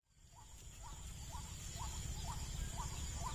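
A White-breasted waterhen gives a short, hoarse, two-part note about twice a second over a steady low rumble.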